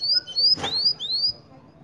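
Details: Cinnamon-rumped seedeater singing in Mérida, Yucatán: four high, thin, rising whistled notes in quick succession, with a short click-like noise between them.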